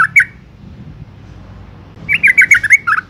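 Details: Female yellow-vented bulbul calling to lure and stimulate males: a quick bubbly double chirp, a pause, then a rapid run of about eight bright, bubbly chirps, with a faint low hum underneath.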